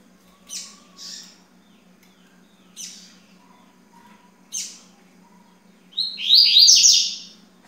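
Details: Yellow-bellied seedeater, locally coleiro baiano, giving several separate sharp high chip notes spaced a second or more apart, then a loud quick burst of buzzy falling trilled notes; low constant hum beneath.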